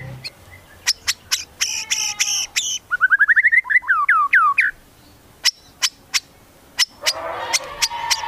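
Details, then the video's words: Medan white-rumped shama in its varied song with mimicked cililin and cucak jenggot: harsh stacked chatters, a quick series of descending slurred whistles, then scattered sharp clicks. "MURAI BATU MEDAN GACOR FULL ISIAN TEMBAKAN CILILIN SAMBUNG LIVEBIRD CUCAK JENGGOT"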